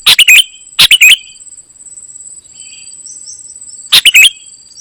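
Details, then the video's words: Kutilang emas, the golden-fronted leafbird, heard in vigorous song: two quick bright chirping bursts, a long quiet gap with faint insect-like buzzing and a steady high whine, then another crisp double-note burst. "Ternyata seperti ini suara burung KUTILANG EMAS 😲 gacor isian."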